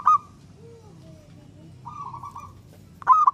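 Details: Singing local zebra dove, played to get other doves singing back. Short rolling coo phrases open and close the recording, with a quieter cooing series and faint gliding notes in between.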